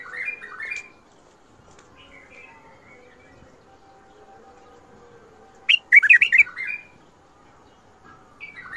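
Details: Bulbul singing the Mandali and Badra styles: a brief warbled phrase, several seconds of near quiet, then a loud rush of rapid, fluttering whistled notes and a final soft phrase.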